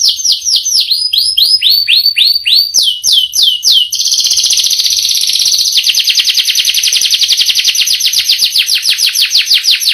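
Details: Canary singing a long rolling song: descending whistled sweeps repeated rapidly, then a dense buzzy trill and fast rolling notes throughout.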